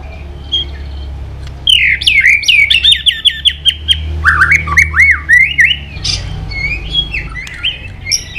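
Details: Fighting song of a White-rumped shama, played to get a bird fired up quickly: a fast string of slurred whistled notes with sharp clicks, then looping rising and falling whistles and softer warbles.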